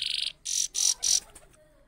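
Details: Trained caged Saffron Finch sings a rapid, high chattering trill, then three quick, bright buzzy notes about a quarter-second apart; no other sounds.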